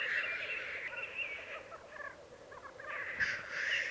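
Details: Black grouse cocks lekking in the Piedmont Alps, Italy, 2022. Loud hissing calls open and close the clip over a steady bubbling undertone, with short clipped notes in between.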